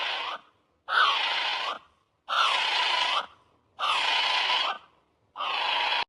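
A kea gives loud, harsh, drawn-out screeches, each under a second, repeated about every one and a half seconds. No other sounds are heard.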